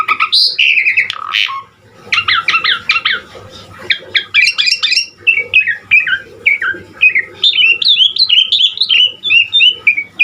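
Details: Indonesian jalak suren, the Asian pied starling, singing hard with a varied, unusual mix of fill-ins: a harsh squawk opens, then quick clusters of sharp chattering notes give way to strings of short, falling whistled slurs.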